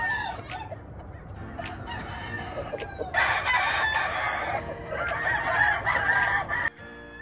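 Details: Grey Kelso Albany chicken on a farm with a faint call early, then a dense, rough crowing passage from three to six and a half seconds, background music faintly present.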